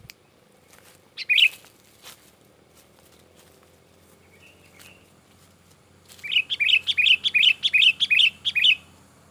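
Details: Sooty-headed bulbul singing in an excited, agitated style, used as a lure to draw in other bulbuls: one sharp note, a pause, then a fast run of about twelve bright, bubbly chirps rising and falling, with a faint low hum behind.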